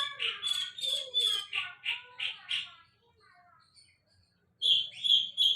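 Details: Sulingan laut producing a rhythmic string of harmonically rich, slightly nasal notes repeated about twice a second, a short quiet gap, then a loud run of bright high chirps.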